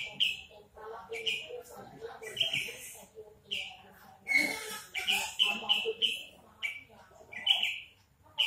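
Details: Horsfield's bush lark kept in a cage, large-bodied with a crest, delivering repeated bright chirped notes about once a second, interleaved with faint lower twittering.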